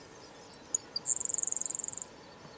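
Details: A Grasshopper Sparrow (Ammodramus savannarum) in grassland near Lyleton, southwest Manitoba, on 4 July 2020, gives a few very high, thin ticks, then a long, dry, insect-like buzz lasting about a second.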